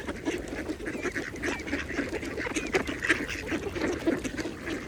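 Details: Feeding mallards at a pond utter short quacks among dabbling splashes, with a few thin higher chirps and steady water sound behind.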